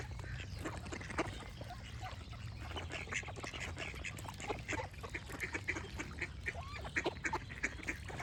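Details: Ducks keep up a steady, overlapping stream of coarse quacks, while short whistled chirps from other birds repeat in the background.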